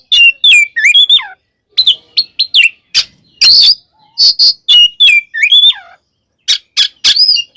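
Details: Oriental magpie-robin (kacer) fighting song, used to provoke other magpie-robins: downslurred whistles and sharp chips in quick groups, some buzzy bursts, with short silences between phrases.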